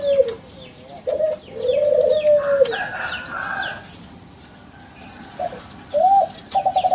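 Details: Captive Kelantan-strain spotted dove, champion-line bird used as a lure to make other doves answer: scattered low coos, one drawn-out phrase near the start and clipped coos at the end, amid soft chirps and a brief rustle.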